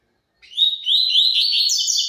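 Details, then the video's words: High, rushing phrase of slurred, bubbling whistles from a double-collared seedeater singing the tui tui zel zel song style, starting with a slightly lower note and climbing in pitch. "COLEIRO TUI TUI ZEL ZEL PURO"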